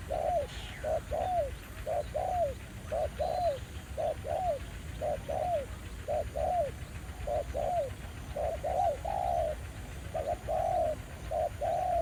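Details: Spotted dove, a spirited territorial male responding to a decoy bird at a trapping site in Vietnam: a long run of low, evenly spaced paired coos, each ending in a downward slur, with a brief higher call near the start.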